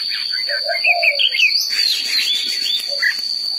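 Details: Song of a red-whiskered bulbul, a run of quick chirpy whistles with a low warbled phrase near the start and a single short note near the end. A continuous shrill hum persists in the background.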